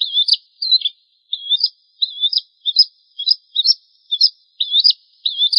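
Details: Tutor song of a Bar-winged prinia for cage-bird training, with a steady run of bright, high, twittering phrases, each a short wavering trill, coming almost without pause. No other sounds.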